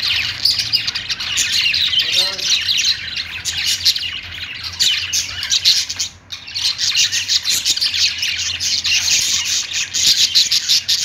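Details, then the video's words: Pet budgerigars singing on a perch: a dense, continuous chatter of high chirps, squeaks and buzzy warbles from several birds, with a brief lull near the sixth second. "budgies singing on perch"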